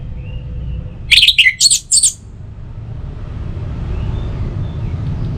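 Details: Orange-headed thrush song, used to stimulate other birds in the morning and evening: one brief burst of sharp, high, scratchy whistled notes over constant low background rumble.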